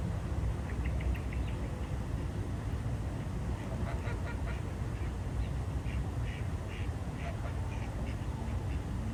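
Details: Morning ducks at the Jardin aux Canards pond in Monaco, swimming: repeated short, nasal quacks in loose bursts, several per second at times, spread through the recording above constant low water ambience and distant rumble.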